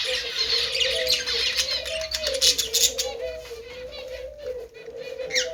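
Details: Budgies at play: scratchy high chatter and clicky bursts over a steady lower wavering tone running through the recording, with a quieter stretch in the second half.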